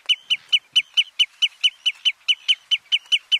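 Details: Common redshank (Tringa totanus robusta) on Flatey, Iceland, June 2019, calling a rapid, even series of sharp, high piping notes, roughly fifteen in three and a half seconds, with no pause, against a quiet background.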